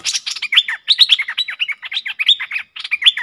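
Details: Two streak-eared bulbuls dueling fiercely in song, lure audio from 30 October 2021: dense, overlapping chattering notes with bright sliding whistles, almost continuous and busy.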